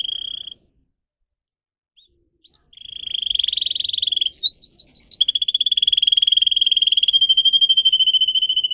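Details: Pet singer canary kept for song training, giving a short trill, a two-second pause, then a long rapid buzzy roll, a brief run of bouncing higher notes, and a steady fast trill to the end.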